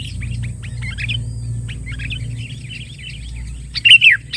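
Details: Sooty-headed bulbul calling to lure and challenge rivals: scattered soft chirps and warbles, then a loud, sharp, slurred call that drops in pitch near the end, with a low background hum.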